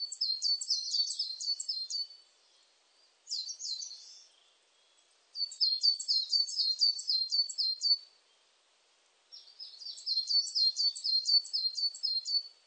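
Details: Coal tit song, 2020 recording: four bursts of rapid, high, thin repeated two-part notes, each phrase about two to three seconds long and separated by short pauses, against a quiet, clean background.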